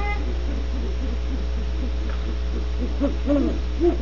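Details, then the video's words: Great horned owls at Audubon Starr Ranch, California, make a busy series of short, low, arching hoot-like notes, irregular and overlapping, growing louder toward the end against a steady hum. "GREAT HORNED OWLS"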